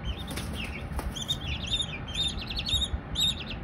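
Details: Young Silkie chicks give clear high arched peeps in short clustered runs, a couple of soft thumps early on, low background rumble underneath.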